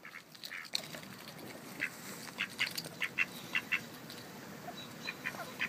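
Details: Female Mallard quacking ceaselessly as she eats crackers while the quieter male watches; a run of sharp, nasal quacks, several in quick succession near the middle, then spaced calls, over soft background noise.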